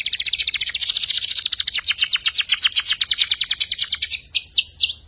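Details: Juvenile canary learning to sing, for training magpie-robins and shamas; a loud, fast buzzy trill of evenly repeated notes throughout, closing with a few sharp descending whistles.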